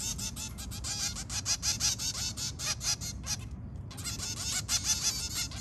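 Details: Zebra finch family of two adults and three babies calling in the early morning: rapid, overlapping nasal, toy-trumpet beeps from several birds at once with a brief pause midway, over a low background rumble.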